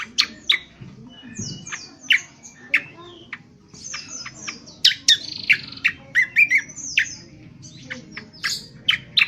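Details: Indonesian honeyeater (cucak kombo) in rough 'ngriwik kasar' twittering for training birds: a varied, irregular stream of sharp chirps, downslurred whistles and short buzzy phrases, louder in the middle.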